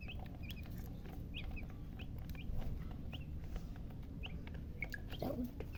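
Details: Chicken chicks giving scattered short high chirps, some paired, against a loud broadband hum and rustling.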